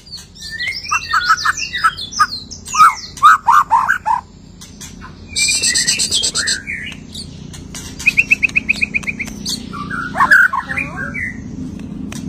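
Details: White-rumped shama after moulting in full song: varied whistles and chattering notes, a harsh buzzy burst, then a rapid even trill of repeated notes, with more twittering phrases at the end.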